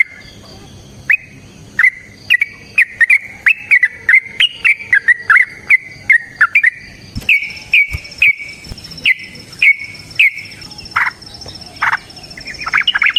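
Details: Sooty-headed bulbul giving its long, rapid fighting song, a string of sharp clear whistles repeated steadily, ending in rougher, scratchier notes.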